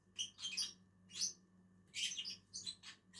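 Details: Lovebirds, two of them, eating on a tree: loud, rasping, high chirps in clustered bursts with short pauses between, faint hum in the background.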